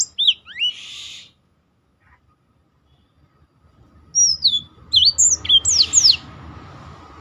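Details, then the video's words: Brief bursts of Black-throated canary song, used as a tutor for other birds: a short buzzy flourish, a few seconds of near silence, then tumbling whistled slurs and a harsh buzz over low rumbling noise. "burung blackthrout lain pun ikut tergoda berbunyi."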